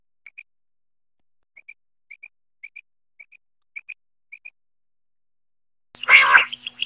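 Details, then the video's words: Quail in Khyber Pakhtunkhwa, Pakistan, linked to quail netting and hunting: eight soft, high double pips spaced about half a second apart, then a sudden loud, harsh, broadband burst with ringing overtones at the end. "Quail singing batair"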